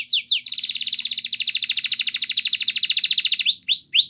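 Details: Belgian canary singing a training song, opening with two quick rising notes, then a long rapid rattling roll lasting about three seconds, closing with three clear upswept whistles.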